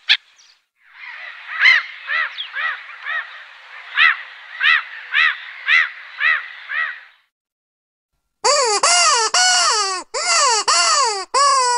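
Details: Black-headed gull: a series of rasping, evenly paced calls, then after a short silence loud, drawn-out screeching calls, each rising then falling, repeated in quick succession.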